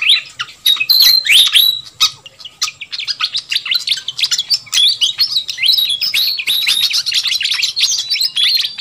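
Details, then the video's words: Lure sound of pied fantail, known locally as sikatan kipas, for attracting wild birds. Clear whistled slides open the clip, then dense overlapping high chirps build and continue to the end, with a faint hum. "Suara Pikat Burung Sikatan Kipas RIBUT"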